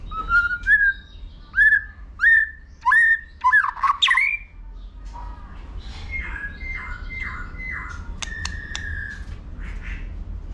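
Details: White-rumped shama in competitive singing, with ticking and tail flicks: five loud, evenly spaced upslurred whistles, then a rich twittered burst, followed by softer repeated notes and sharp clicks.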